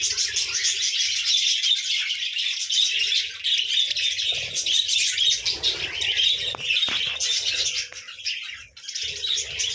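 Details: Several budgerigars chattering in the morning, a constant high warbling of chirps and twitters, with a few sharp clicks and a short quieter dip toward the end.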